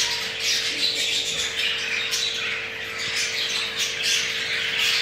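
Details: Mating crested jumbo male budgerigar whose pair has laid two eggs; dense, continuous scratchy warbling and chirps with short squawks throughout, and a constant low hum underneath.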